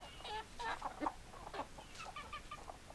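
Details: Hens clucking in short, scattered harmonic notes, several birds calling at once over a steady hiss of background noise.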